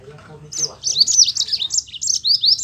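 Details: Yellow-fronted canary singing actively in a rolling 'ngeroll' style, used to prompt reluctant canaries to sing: a fast, continuous run of high, sweeping, buzzy trilled notes that starts after a faint low murmur.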